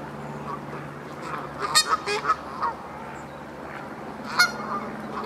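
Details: In the Hertener Schlosspark, Germany, Canada geese utter a quick series of four or five harsh honks, then a single loud honk after a pause, against a low droning hum.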